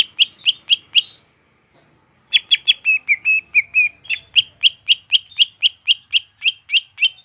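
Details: Energetic gropyokan gacor singing from a greater green leafbird (cucak ijo): rapid, steady strings of clipped high notes about four per second, broken by a brief silence and a few longer level whistles.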